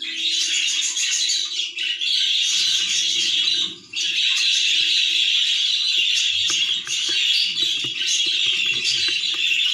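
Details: Budgerigar chick on its last day of weaning, giving a near-continuous, raspy, high chatter broken by a short pause midway, with a faint low hum in the background.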